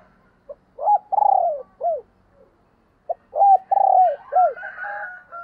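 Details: Spotted dove acting as a decoy to call wild doves. Two low cooing phrases, each built from short coos and a long rolling falling coo, are followed by high twittering from another bird at the end.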